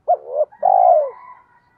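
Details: Spotted dove lure call for trapping: a short coo followed by a longer, drawn-out, slightly falling coo, a single phrase with a faint echoing tail.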